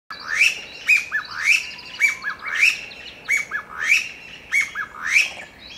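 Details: Chinese bamboo partridge singing loudly in Kasugai, Aichi Prefecture, Japan, on 21 March 2022: loud, ringing, rising phrases, each a strident note followed by shorter ones, repeated about every two-thirds of a second.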